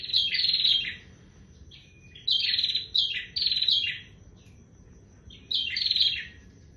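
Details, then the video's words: A bar-winged prinia in full song, pouring out rapid, rasping, trilled phrases in clusters, pausing briefly between bursts; a faint steady high-pitched tone runs throughout. "prenjak tier gacor"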